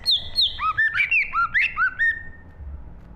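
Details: A green leafbird sings a fast 2023 phrase: a string of clear, bouncing whistled notes that swoop up and down, about eight in two seconds, then a fading steady whistle, over a low background hum.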